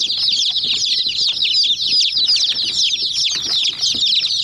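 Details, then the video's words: A group of hen chicks pecking a white toy jeep fills the air with dense, shrill cheeping, quick downslurred notes from many birds at once, plus soft tapping. "Mini Jeep Vs Murgi Chicks Chirping Sounds"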